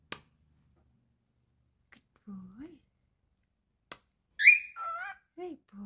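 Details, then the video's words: Pet cockatiel, described as naughty, talking and singing indoors: after near silence with a few clicks and a low murmur, a loud raspy speech-like phrase with bright harmonics breaks out, followed by two shorter gravelly syllables. "Monty The Naughty Cockatiel talking and singing again. The most adorable talking Cockatiel"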